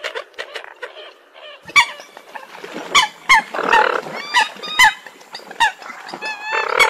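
Eurasian coots give loud, abrupt nasal honks and sharp squeaky notes, several birds calling over one another at an irregular, lively pace.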